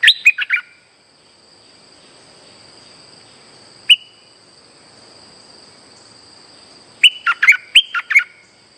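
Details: Streak-eared bulbul lure song for trapping: a brief chirpy phrase, a long hush broken by one isolated note, then a lively run of five sharp, up-and-down notes near the end, with a constant high whine.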